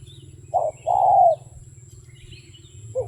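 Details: Single couplet from a wild dove, a short hoot then a long smooth coo, followed by quiet with faint distant chirps and a low hum.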